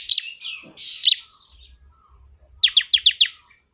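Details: Loud bar-winged prinia song with harsh, buzzy notes at the start, a quiet gap with low knocking sounds, then a quick burst of five sharp, evenly spaced chips.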